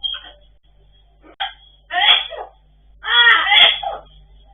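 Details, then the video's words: Blue-and-yellow macaws make raspy, voice-like talking mimicry in three short bursts, the last the longest, with a brief sneezy snort among them, in a quiet room. "Gold and blue macaws parrots talking and sneeze"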